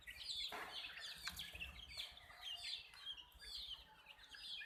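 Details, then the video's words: A group of young chickens chirps steadily, many high downslurred peeps crowding together over a soft background rumble, with a few sharper clicks and knocks. "Witty MURGI Hen Baby "CHICKS CHIRPING" Sound"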